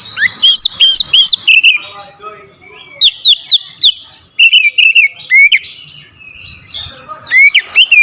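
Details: Caged oriental magpie-robin provoked into a rival challenge, delivering a loud, aggressive song: clusters of clear whistled, slurred and rising notes in quick bursts, with pauses between phrases and faint background chatter.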